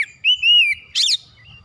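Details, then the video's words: Oriental magpie-robin singing: one long, clear, slightly arched whistle followed by a short harsh, scratchy note. "TERAPI MERANGSANG KACER CEPAT EMOSI GACOR BONGKAR ISIAN"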